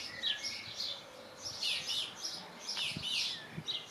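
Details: Two common swifts looking out of a nest box on 17 June 2025 give shrill, buzzy, high-pitched trilling screams in short bursts about every second, with a faint low rumble in the background.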